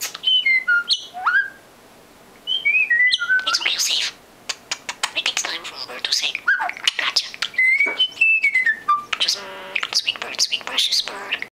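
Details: Talented pet female common starling singing between bits of mimicked speech: clear descending whistled notes in stepped series, interleaved with dense clicks, rattles and rapid chattering phrases.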